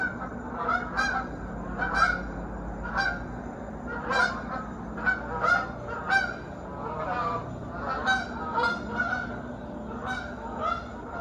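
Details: Geese flying as a flock through the sunrise sky over a South Georgia lake, circling back across it. Frequent loud nasal honks from several birds, overlapping in bursts, roughly two per second, with low steady background hum.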